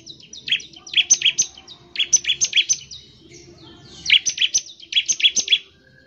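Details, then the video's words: Bar-winged prinia singing a loud song used to make other birds sing: bursts of sharp, high chirps repeated rapidly in groups of four to six, with short pauses between bursts. "CIBLEK GACOR, NEMBAK NGEBREN UNTUK MEMANGGIL CIBLEK CEPAT BUNYI GACOR"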